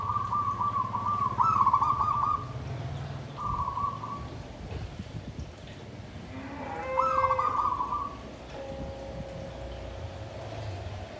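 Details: Zebra dove kept in a bamboo cage sings the tumpang sari, klabang kapipit style. Several bubbling, purring coo phrases arrive in separate bursts, with a faint steady tone and low rumble behind.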